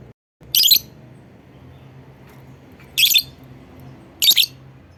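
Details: Lovebird calling to prompt other lovebirds: three harsh, high squawking chirps, the first longer and the others doubled, spread over about four seconds with a faint hum between.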